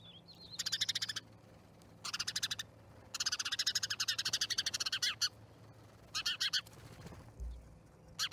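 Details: A flock of starlings at an osprey nest in Charlo, Montana, on 10/07/2019 gives repeated bursts of loud rapid rattling chatter, long and short by turns, with a brief thump near the end and a low hum beneath.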